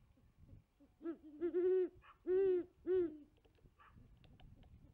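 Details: A female great horned owl at a tree nest around 5pm gives a deep, hollow series of four or five hoots over about two seconds, with a short stutter in the middle. A possible second female may be calling in the distance, with a male in the background.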